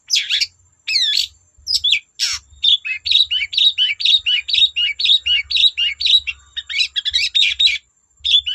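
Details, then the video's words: Lively long-tailed shrike song used to set untrained shrikes singing. A few sharp whistles and a harsh burst lead into a long rapid run of repeated twisting chirps, about two per second, over a faint low hum. "Burung cendet gacor Bikin cendet bahan terpancing ikut gacor"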